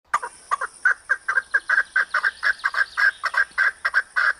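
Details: Arabian partridge, called maskati chakor, giving a loud series of harsh, clucking double notes, repeated steadily at roughly two per second with little variation; a faint high hiss runs underneath.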